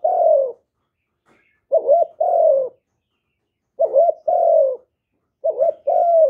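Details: Spotted dove giving its cooing call for luring wild birds: a brief broken note and a drawn-out low coo, repeated three to four times at steady intervals against silence.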